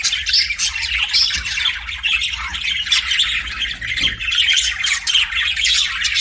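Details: Pet budgies keep up a busy chirping chatter, a steady stream of harsh squawky notes and quick warbled twitters mixed together, over a faint low background hum.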